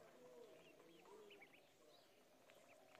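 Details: Ducklings on a pond give scattered high, curved peeps, a few short upslurred notes every fraction of a second, fairly soft over a constant hiss of background noise.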